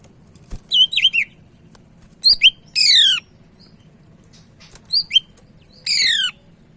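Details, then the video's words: Actively singing Sumatran leafbird, Medan type: clusters of sharp, high, looping whistles alternating with rapid descending buzzy sweeps, repeated in two phrases, with short pauses between. "Burung Cak Ijo Medan Gacor"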